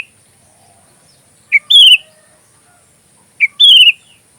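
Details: Sooty-headed bulbul, song for magpie robin training: two separate short phrases, each a quick sharp note followed by a rich, slightly descending whistle, about two seconds apart, amid near silence with a faint high whine.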